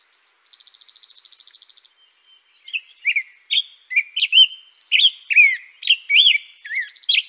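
European robin singing: a thin, high rapid trill, then a run of liquid warbled notes sliding up and down, with a faint steady high hiss behind.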